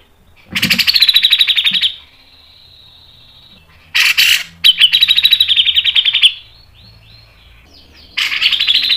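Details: Grey-cheeked bulbul (cucak jenggot) masteran song in fast 'mbeset ngepik nembak' style: two dense bursts of rapid, evenly pulsed chattering notes, about ten per second, separated by a thin, steady high whine, ending in another loud rattling burst.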